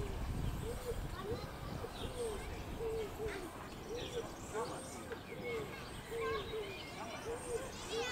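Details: Yellow-legged gulls recorded on 22 April 2023 give short, arched, mewing notes in quick overlapping series, about two a second, over a steady low rumble of wind or traffic.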